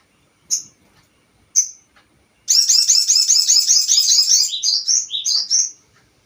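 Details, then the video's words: Crested jay calling as a lure to provoke other birds: two lone piercing high notes, then a long, dense stream of rapid, rattling high chatter lasting over three seconds, breaking into separate slurred notes at the end. "Pancingan burung sogon"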